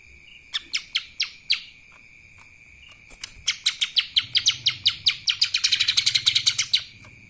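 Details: Lesser green leafbird delivering kapas tembak song: a short series of crisp chips, a brief gap, then an accelerating volley of sharp, high notes packed closely together, set against a faint continuous whine.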